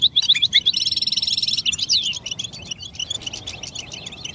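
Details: European goldfinch song meant to get other goldfinches singing: sharp repeated chirps, then a buzzy trill lasting about a second, followed by tumbling slurred notes and scattered thin twitters.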